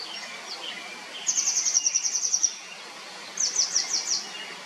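Grey wagtail giving a fast, very high run of about a dozen thin ticking notes, then a shorter burst of five sharp, dipping notes, over faint background hiss.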